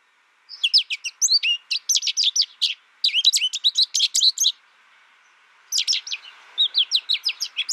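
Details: American goldfinch twittering in three fast phrases of sharp, high chips and rising slurs, separated by a silent gap of about a second; no other sounds.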